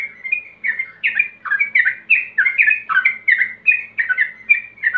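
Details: Lure recording of a male Yellow-vented Bulbul calling a rival, meant to trigger fast ropel singing: an unbroken stream of chattering, bubbly notes, about three per second, with rising and falling slurs.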